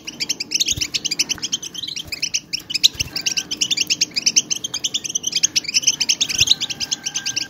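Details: A large group of European goldfinches gives stimulating twitter to rouse silent goldfinches into song: dense, continuous high tinkling chirps and buzzy trills, overlapping voices with no pauses, plus a faint low hum beneath.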